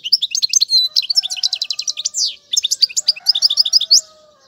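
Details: European goldfinch singing, a song for teaching young birds in styles such as tiwawati and mandolin. Continuous rapid twitters, buzzy slurs and several quick repeated trills over four seconds, with faint low steady tones beneath.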